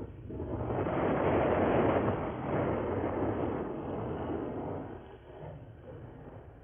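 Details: A deep, roaring rumble like a passing vehicle swells and then fades, with no animal calls heard.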